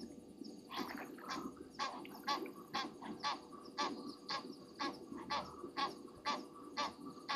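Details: Egyptian geese at Gowrie dam, Djuma Game Reserve, South Africa, upset over something late at night on 27 January 2023; a long steady run of about fifteen hoarse, nasal honks, roughly two per second, over a low hum.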